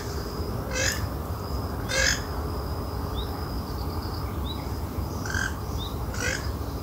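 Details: Harsh, raspy bursts from a wild western swamphen, two in quick succession, a gap, then two more, set against a steady shrill high tone and constant low noise.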